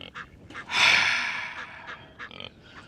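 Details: A male Egyptian goose on a farm makes his typical sound, a hoarse, breathy hiss lasting about a second framed by a few short, raspy puffs.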